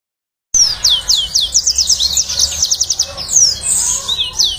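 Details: Yellow-fronted canary song used as a lure and training model for other birds: after a brief silence, fast series of clear, high down-slurred whistles and rapid trilled notes, then buzzy rising phrases, with faint low background hum.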